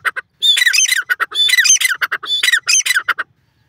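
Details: Partridge calling in a green field: loud, harsh, grating call given as three rapid rattling bursts of squawky notes over about three seconds, each burst with rising and falling strained tones, no other sounds.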